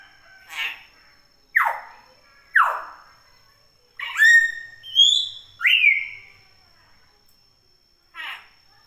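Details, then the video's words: Common hill myna calling vigorously in natural conditions: a series of steep falling whistled notes, then bright rising and flat whistles with ringing overtones, over a faint steady high-pitched electronic tone. "Suara burung beo alami gacor"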